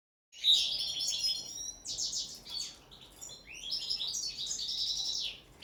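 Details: Caged common linnet singing on the table during its first training session, a fast twittering run of buzzy trills and clear whistled notes, high and varied, after a brief silence at the start.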